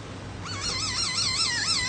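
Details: Laughingthrush giving a loud, continuous wavering warble that rises and falls rhythmically, like a trilled, undulating whistle lasting over a second.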